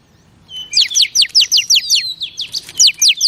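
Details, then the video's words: Female oriental magpie-robin song meant to stimulate males: a rapid series of about twelve bright downslurred notes, evenly repeated several times a second. "Chòe Than Mái Kích Trống"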